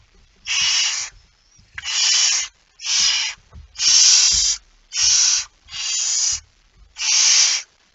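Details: A barn owl with a mouse, recorded in Friesland, Netherlands, at 01:49 on 17 September 2019, gives harsh, breathy hisses, each under a second, in a steady series about once a second, with faint low knocks.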